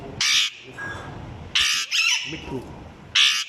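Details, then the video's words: A parrot that copies a small child's voice gives three loud, harsh, noisy squawks with a brief tonal vocalisation between them and faint background murmur. "parrots speaking"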